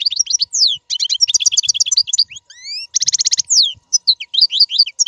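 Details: Royal goldfinch singing clean, error-free song used to tutor caged fledglings; lively twittering phrases mixing rapid repeated chips, rising slurred whistles and a dense buzzy trill, with short gaps between bursts.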